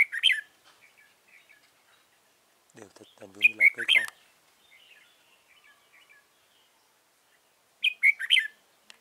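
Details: Red-whiskered bulbul used as a trapping decoy in Dong Nai, Vietnam, recorded 15 November 2017, giving short bright warbled phrases at the start, middle and end, with a brief burst of human speech mid-way.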